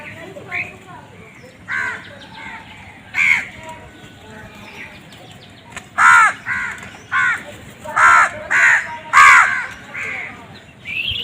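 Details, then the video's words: Crows squabbling over food, loud harsh cawing in a rapid irregular series, several calls following one another in quick bursts, with quieter distant caws in between. "Crow bird crowing sound"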